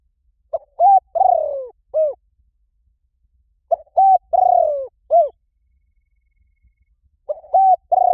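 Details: Spotted dove used to lure wild doves, cooing in steady phrases roughly every three seconds: quick note, flat coo, lengthy falling buzzy coo, and a short rounded coo, over a silent background.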